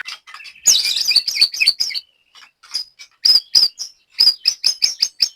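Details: White-rumped shama singing at an Indonesian song-bird practice session: a burst of varied rich whistles and rattles, then a string of sharp, clear whistled notes spaced about every third of a second.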